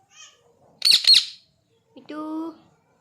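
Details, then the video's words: Pet parrot giving an angry call indoors: two loud, harsh, broadband screeches close together, then a shorter nasal harmonic cry, with a person speaking softly nearby. "Cute Parrot Natural Sounds!! cute Mitthu Angry Voice"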